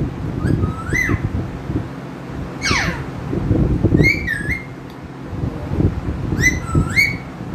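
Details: Pet talking parrot whistling: several short phrases of clear, rising, slurred whistles, one quick downward sweep, and pauses between phrases, over constant low rumbling background noise.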